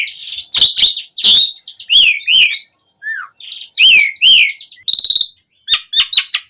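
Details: Asian pied starling singing as a lure to get captive birds singing: harsh squawks and slurred whistles, then a rattling buzzy burst and quick sharp notes near the end.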